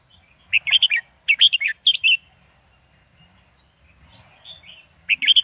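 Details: Indo double style song of a caged red-whiskered bulbul, played to teach young birds: three rapid phrases of chirpy, warbling whistles in quick succession, a quiet gap with soft faint notes, then another phrase begins.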